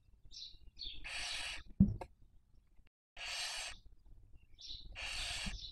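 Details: Barn owl at a webcam nest in Cabañeros National Park, Spain, during the 2023 breeding season while rearing young. Three coarse hisses, each led by short high chirps, with a sharp knock or bump midway through.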